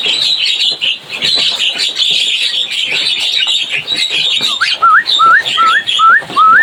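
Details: Javan myna (jalak kebo) chirping busily: a dense, continuous high chatter runs throughout, then from the midpoint a series of six loud, rising whistled slurs repeats roughly twice a second.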